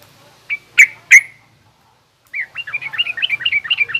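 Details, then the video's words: Garuda-type yellow-vented bulbul in rough ngriwik chatter, used to teach young birds: three loud, ringing single notes with gaps, then a quick string of rising and falling chirps that speeds up toward the end. "suara burung trucukan garuda lanjut trucukan ngriwik kasar ini pas tuk terapi trucuk muda ajar bunyi"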